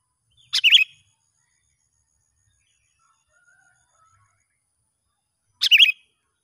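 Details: Sooty-headed bulbul heard in the wild as a young lure bird is tested: two brief bubbly whistled phrases about five seconds apart, separated by quiet.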